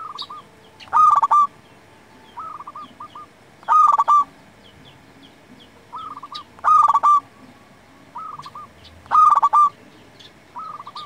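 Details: Local Zebra Dove singing for luring and tutoring doves: four loud stuttering coo phrases roughly every three seconds, answered between them by softer rippling coos, with light high chirps.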